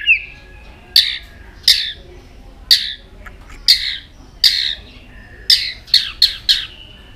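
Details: Between song phrases, a tail-flicking white-rumped shama repeats harsh, scratchy notes about once every second, speeding up near the end.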